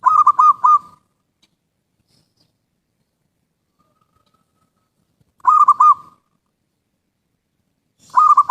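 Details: Zebra dove cooing, used for luring birds: three short bursts of soft, rolling, stuttered coos ending in a held note, separated by long silences in an otherwise quiet recording.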